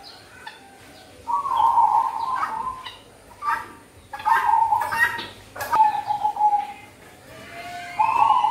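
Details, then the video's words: Cold-season zebra dove (perkutut) song used as a lure: trilled mid-pitched coo phrases come in bursts between sharp clicks and knocks, with a murmur of other noise underneath. "Burung perkutut suara top untuk pikat dan pancingan di musim dingin || merbok kampong"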